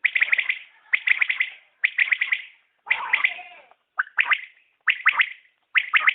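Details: Common quail calling, known locally as batair: sharp three-note bursts, each a quick trill of clipped notes, repeated roughly once a second with short silent gaps.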